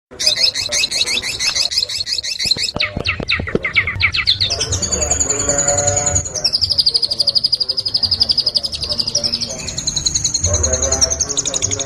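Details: Long-tailed shrike song in a fast, energetic style: dense high buzzy trills, then a run of sharp clicks, then long steady rapid trilled notes held at a high pitch, over a low rumbling background.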